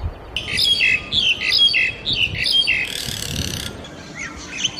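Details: Forest bird calling in quick, bright chirped pairs, about one a second, high-pitched and slightly squeaky, over constant hissing background noise and a brief burst of static.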